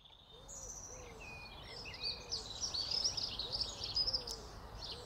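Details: A pair of house sparrows in early April sun, nesting under roof tiles: bright, high chirps in quick irregular bursts, with soft repeated lower arching notes in the background.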